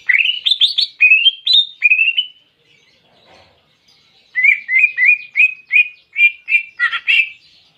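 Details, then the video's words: Greater green leafbird delivering clear canary-imitation phrases: rising whistled slurs, then a pause of about two seconds, then eight quickly repeated bright chirping notes ending in a rougher burst. "Masteran Cucak Ijo Isian Kenari Jernih"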